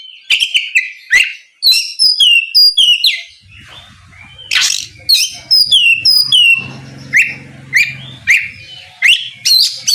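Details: Singing oriental magpie-robin aimed at stirring a rival to respond: strings of high whistles and downslurred notes in irregular phrases about every few seconds, with a low droning hum in the middle.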